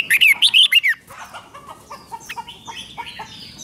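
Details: Red-whiskered bulbul song played to excite caged birds: a loud burst of about six quick whistled notes rising and falling around two to four kilohertz in the first second, then fainter scattered chirps.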